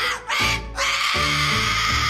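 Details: A pet cockatoo yelling because he wants attention, giving harsh, raspy screeches, one short burst and then a longer sustained yell, over background music.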